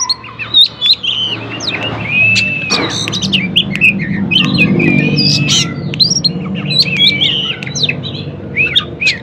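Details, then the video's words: Oriental magpie-robin singing vigorously, used as a lure to make other magpie-robins that rarely sing answer. Varied loud whistles and sharp chattering phrases over a steady low hum. "kacer gacor paling di cari buat pancingan kacer lain"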